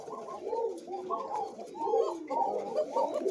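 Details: Several thin-voiced Koka pigeons, breeding pairs with young, coo over one another in a pigeon loft in low, rolling, overlapping phrases that swell and fade, with a faint murmur of voices in a small room.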